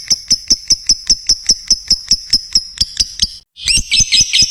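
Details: A lovebird repeats a sharp, high click-chirp about five times a second in an even series, pauses briefly, then bursts into a jumbled, harsh chatter; song used to train other lovebirds.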